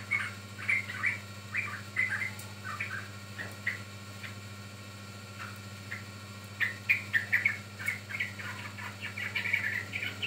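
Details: Yellow-vented bulbul (trucukan) recording used as a lure and for training birds: bursts of short, bubbly chirped notes in quick clusters, with a pause in the middle before a livelier run of notes, over a steady low hum.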